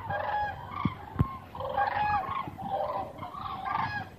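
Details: Hundreds of common cranes migrating south over Meerssen, the Netherlands, on a November afternoon at 2.04 pm; a chorus of loud, rolling, trumpeting calls overlapping continuously, with several birds calling at once in a few bursts.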